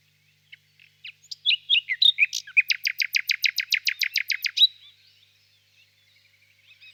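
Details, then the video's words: A nightingale sings on a warm spring evening in a birch grove, a few scattered opening notes building into a rapid, loud rattle of repeated clicks lasting about two seconds before falling quiet. "Пение соловья"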